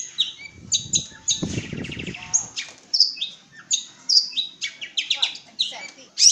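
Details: East Javan long-tailed shrike pours out a jumbled, high-pitched song of squeaky notes, rattles and buzzy fragments, with a short low rumble beneath early on.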